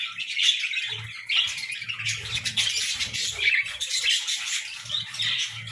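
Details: Morning song of several pet budgies, a busy mix of squeaky chirps and grating warbles, with faint low tapping sounds underneath.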